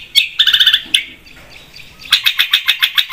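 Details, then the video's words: Long-tailed shrike in energetic song for luring: a quick stuttering rattle of harsh notes, a pause with faint background, then a fast even series of about ten sharp clicking notes. "PANCINGAN BURUNG CENDET GACOR 100%"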